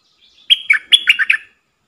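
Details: Bulbul used as a decoy to incite wild birds into combat, delivering a short liquid song phrase of six or seven gurgling notes, the first clear and high, the rest lower and rolling.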